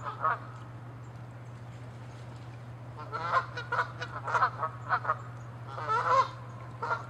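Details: Canada geese fighting, honking loudly in angry territorial chases on water and land; a lone honk opens, then after a pause a rapid burst of harsh nasal honks, some overlapping, over a low hum.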